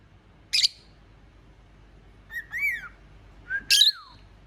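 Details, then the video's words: Cockatiel whistling like a telephone: two clear whistled phrases, each gliding up and down, between short harsh chirps, against a quiet background. "Ever heard a cockateil whistle like a telephone? Mine does."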